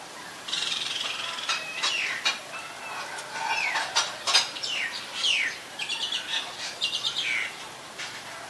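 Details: Common myna recorded in Ubon Ratchathani, Thailand, on 28 February 2022; a busy run of harsh, chattering and whistled notes with rising sweeps, clicks and rapid pulses, loud bursts coming every half second or so.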